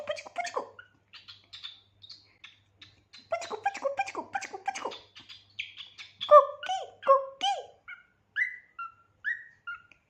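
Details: Pet cockatiel chattering at length: bursts of harsh, buzzy chirps and squawky notes rich in overtones, a loud run of mid-pitched calls near the middle, then several short, clear whistled notes sliding downward, spaced about half a second apart, over a faint low hum.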